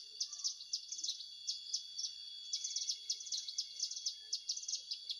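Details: A Hill prinia in Indonesia, its call serving as a lure for trapping, gives a steady stream of fast, high, chirpy note clusters, repeated almost without pause across the whole stretch.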